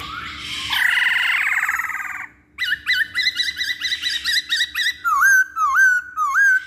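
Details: Masked laughingthrush serving as a singing lure: a harsh buzzy chattering burst, then quick repeated whistled notes, ending with several looping wavering whistles.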